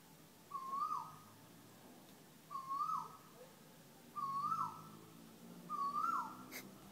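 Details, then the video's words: Persistent calling bird in Thailand: four smooth hooting whistles, each sliding upward and falling off at the end, spaced roughly one and a half seconds apart, with a faint low hum behind. "The most annoying bird in Thailand"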